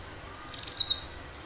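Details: Wild cinereous tit (gelatik batu) singing, a recording meant for luring birds. A single brief phrase of three sharp high notes and a softer trailing note.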